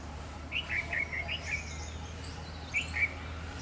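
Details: Jungle babblers, a noisy flock at a birdbath, give harsh, squeaky chattering notes in two quick bursts, about four notes then two, over a steady low hum.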